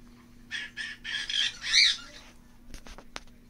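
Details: A newly arrived green-cheeked conure, meeting resident cockatiels, gives five or six harsh, raspy squawks over about two seconds, followed by a few sharp clicks and taps.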